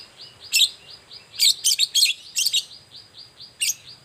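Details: Long-tailed shrike singing vigorously in the morning as a lure for other shrikes: loud, harsh chattering bursts over a soft, steady background of repeated fainter whistled notes.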